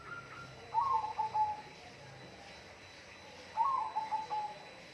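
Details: A bird gives two loud warbling phrases about three seconds apart, each a quick burst of wavering mid-pitched notes ending in a steady drawn-out tone, over quiet background hiss.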